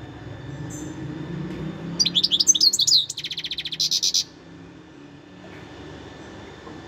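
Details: Wild European goldfinch giving a short run of rapid, liquid twittering notes followed by a dry, buzzy rattled phrase, then quiet with low background hum.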